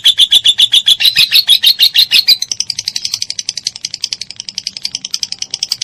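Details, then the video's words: Lovebird ngekek panjang, a long chatter used as master material for cendet and murai batu: loud, evenly spaced sharp high chirps for two seconds, then quicker, softer, slightly higher notes running on. "MASTERAN LOVE BIRD KONSLET NGEKEK PANJANG"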